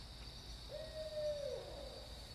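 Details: A barred owl in a Florida state park gives one drawn-out, mid-pitched hoot that holds steady, then slurs downward at the end, over a constant high insect drone.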